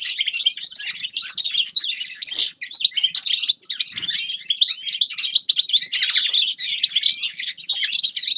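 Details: Grey-crowned goldfinch singing fast, jangling twitters and trills in a steady stream, with one harsh, louder burst early on and two brief breaks.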